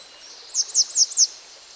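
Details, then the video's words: Juvenile grey wagtail of fast-flowing, mostly wooded streams giving four sharp, high, clipped notes in quick succession, each slightly downslurred, spaced about a quarter second apart against faint background hiss. "Vögel und ihre Stimmen - Gebirgsstelze(Jugendkleid)"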